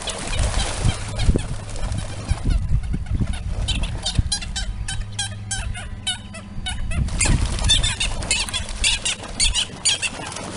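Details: Eurasian coots in a fierce fight over a pond territory, one bird trying to win it back from an intruding coot family with three nearly grown chicks; heavy splashing and low rumbling at first, then clustered sharp, descending squawks in the middle and end.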